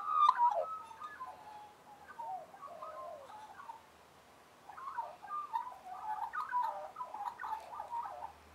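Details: Australian magpies from a group warbling together: two bursts of fluting, yodelling notes that slide up and down through a mid-pitched range, with a brief pause between them.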